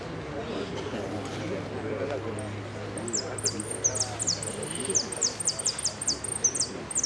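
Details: A yellow hooded siskin, a singing-competition finalist, sings a fast "repique" run of thin, very high, down-slurred notes, several each second, over a low murmur of voices and a steady hum.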